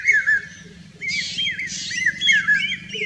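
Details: Common hawk-cuckoo song in Rajasthan, India: shrill, high whistled notes, some rising and some dipping, in quick succession, with brief harsher chirps from other birds.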